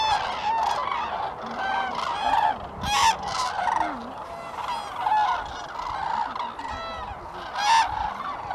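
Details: Flock of common cranes at Lake Hornborga in Sweden, April 2017, giving many overlapping trumpeting calls, ringing and harmonic, swelling and fading in waves with no pause.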